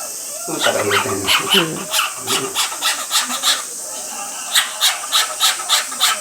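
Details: Captive male cockatiel keeps up a stream of vocal 'sound effects' beside a bathing female sprayed with mist; low voiced sounds open the clip, then hissy, evenly spaced bursts follow roughly three times per second.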